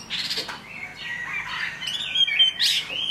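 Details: Chinese hwamei singing in the rain: a brief, messy stretch of varied sweeping whistles and chirps, with a bright rising burst near the end against faint background hiss.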